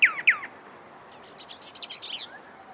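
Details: Pyrrhuloxia giving two loud, sharply down-slurred whistles in quick succession, followed by soft, distant high-pitched twittering.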